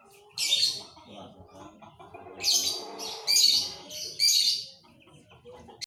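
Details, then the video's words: Panda canary song, short loud rattling high trills about once every second, with a quieter murmur of mixed background sounds underneath. "KICAU KENARI PANDA"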